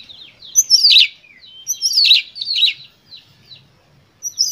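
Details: Emotional, provoking song of an Oriental magpie-robin, used to trigger other birds: harsh, buzzy high phrases in quick clusters with a thin whistled note between them, a short pause, then a sharp high phrase resuming.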